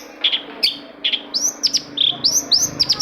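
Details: Long-tailed shrike song meant to rouse other shrikes into singing: clear high whistled notes, several arching upward then dropping, given in quick succession with sharp chirps between them.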